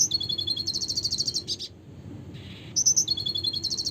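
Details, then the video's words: Red siskin singing a fast, buzzy, high-pitched trill of rapidly repeated notes, broken by a brief pause and a short hiss, then resuming with the same rattling trill, over a faint low hum. "suara kicauan burung red siskin klasik gacor (spinus cucullatus)"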